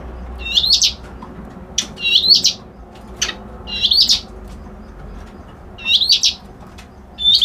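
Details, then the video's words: Reed warbler delivering short, high, scratchy, buzzy phrases in quick succession, five bursts with brief pauses between them, clear against a quiet background. "Suara Burung Kerak Basi Alis Putih"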